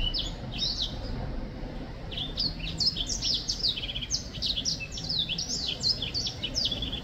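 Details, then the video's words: Black-throated finch song from 2023: a few high chirps, a short pause, then a brisk cluster of rapid, stuttering high notes and slurs repeated in quick succession over gentle hum. "Black throat finch singing / 黑喉燕歌唱"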